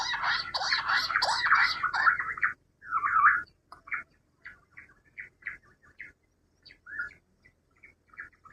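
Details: Rock bush quail call used as a hunting lure: a loud, dense burst of harsh chattering notes for over two seconds, then scattered short chirps at irregular intervals, some doubled, fading in the quiet that follows.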